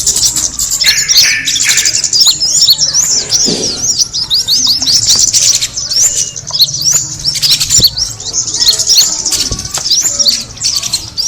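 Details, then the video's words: Kemade birds calling for bird attraction: a busy flock of high twittering chirps, many sweeping quickly downward, layered constantly, with a brief lower call near the middle and faint low background hum. "the sound of the kemade bird attracting noise"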